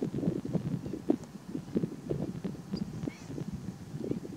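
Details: Over-summering juvenile Black-faced Spoonbills in Tainan, Taiwan, 6 August 2016, fighting over nest sites, nest material and mates in breeding practice; low, rough pulses and clatters come in quick irregular bursts, several per second, throughout.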